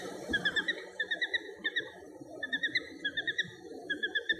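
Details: A Little Grebe on the shore of Dapeng Bay, 17 July 2022, gives bright, high, rapid notes in quick bursts of three or four, repeated through the clip over a low rumble of background noise.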